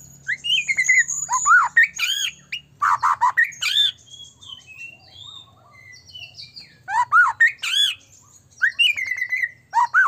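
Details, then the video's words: White-rumped shama singing richly, used to provoke other shamas: repeated loud phrases of arched slurs and rasping notes, a quieter middle with soft high whistled notes, then renewed strong bursts ending in descending whistles. "murai batu gacor AMPUH buat PANCINGAN murai batu agar bunyi JADIKAN burung murai LANSUNG EMOSI"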